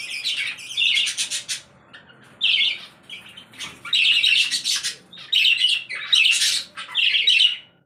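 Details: Budgerigars in a breeding setup chatter in bursts of scratchy, buzzy warbling, high and busy, with short gaps between phrases and several birds possibly overlapping.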